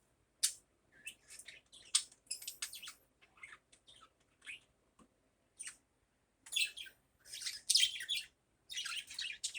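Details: Budgerigar chattering in the morning with irregular bursts of squeaky, scratchy chirps and whistled slides, a short lull, then louder, denser raspy outbursts toward the end.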